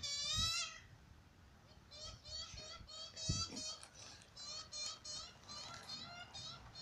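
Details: A juvenile Australian magpie in a cemetery begs its parents to feed it chips from the ground, giving harsh, nasal, quavering begging squeals, a run of drawn-out wails, with a few low thumps beneath.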